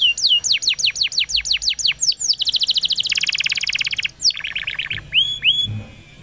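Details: Training song for young canaries from a canary singing like a champion: rapid descending whistled notes, a long fast high trill, then lower rolling notes and upward-curving whistles.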